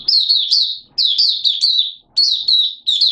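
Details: A kept Malaysian white-eye singing in Singapore on 29 March 2023 in warm, humid weather with sudden showers. It gives quick, high, sweet twittering phrases in three or four bursts, each under a second.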